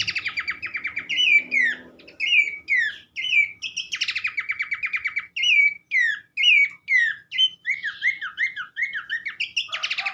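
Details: Horsfield's babbler delivering a busy sequence of short slurred whistles repeated about once a second, broken by fast buzzy trills and a run of zigzag notes near the end.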